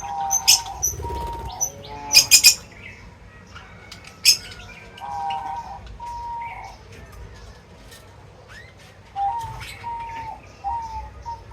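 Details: Wild birds feeding, with scattered sharp high chirps mixed with steady mid-pitched whistled tones that hold for about a second each, heard in several short runs between quieter gaps.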